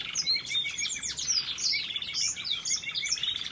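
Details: Variegated red factor canary in waterslager melody, a continuous rapid song of swooping whistled notes, chirps and quick trills tumbling over each other without pause, loud and close.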